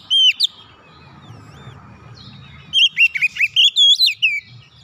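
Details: Oriental magpie-robin song used to coax a bird that has stopped singing back into full song: a sharp whistled note, a pause, then a quick run of about ten bright, slurred, warbling whistles, over a faint low rumble.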